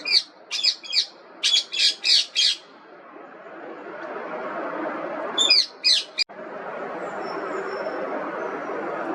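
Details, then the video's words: Indian ringneck parrot squawking in a rhythmic burst of about eight harsh notes, falling quiet for a few seconds, then three more sharp screeches before fading into steady background noise. "Indian Ringneck Parrot Voice Raw, Real & Relaxing"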